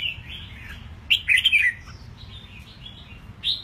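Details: Eight-month-old caged red-whiskered bulbul, newly moulted, sings a lively warbled phrase of several quick slurred whistles, followed by softer notes and a final clear whistle.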